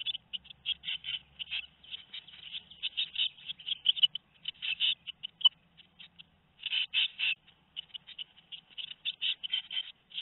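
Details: Two-week-old tit chicks in the nest, recorded 13 May 2019 at Théding, France: bursts of quick raspy squeaks in clusters, with a short lull before the chorus resumes.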